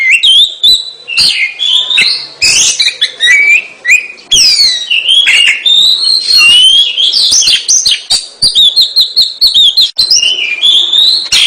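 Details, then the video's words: Long unbroken Oriental magpie-robin song: bright whistles, slurred phrases and quick chips tumbling together, loud and varied throughout. "kacer gacor"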